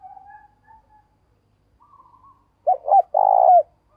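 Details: Spotted dove decoy calling wild birds in the morning: faint thin whistles from other birds at first, then a loud coo phrase of two short notes and a long vibrating coo.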